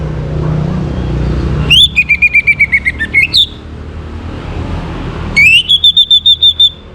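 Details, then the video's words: Orange-headed thrush, northern Bali, morning song meant to bring birds into breeding condition: two bursts of rapid, evenly repeated bright whistled notes, each run about a second and a half, separated by a quiet pause. "Naikan Birahi ANIS MERAH pancingan PAGI HARI Ini efektif supaya Burung jadi gacor & Teler"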